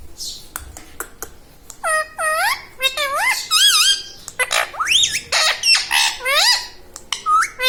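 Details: Talking pet parrot indoors, producing a rapid series of speech-like harmonic syllables with swooping, rising and falling pitch, some buzzy squawks mixed in, with clicks between phrases.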